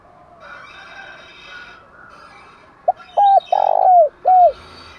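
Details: Spotted dove cooing to lure wild birds: three seconds of faint background bird calls, then a loud phrase of a short note, a hooting coo, a long rough coo and a falling final coo.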